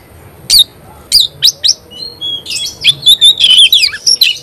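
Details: Kacer, or Oriental magpie-robin, singing hard: a few spaced sharp whistles, then a fast, loud, continuous stream of chirped and whistled notes repeated several times a second.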